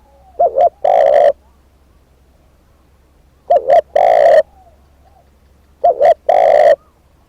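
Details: Captive decoy spotted dove cooing: three phrases, each a quick doubled low coo followed by a long hoarse drawn-out coo, repeated about every two and a half seconds over a faint low hum.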